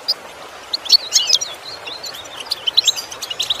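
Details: Goldfinch singing in a training lesson to improve song: quick, liquid twitters and short slurred whistles, bursting out in lively phrases with brief pauses, over a faint hiss.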